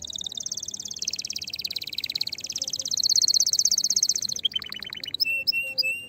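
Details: Excited canary song used to stimulate other canaries to sing, a long rapid rolling trill that dips and rises in pitch, followed by a lower rattling burst and scattered sharp chirps.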